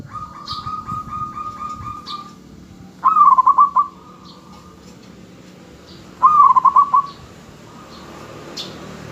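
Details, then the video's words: Zebra dove of local origin used to lure others into answering. Two bright phrases about three seconds apart, each a swooping coo then a fast stuttered trill. Other doves trill softly in the background, with a few faint high chirps. "perkutut lokal gacor RAJA PIKAT Ahlinya Bikin Semua Burung Perkutut Gacor Dan Nyaut"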